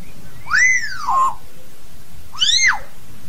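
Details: Common hill myna calling its flock: two loud, ringing whistles about two seconds apart, each rising then falling, over a low background hum.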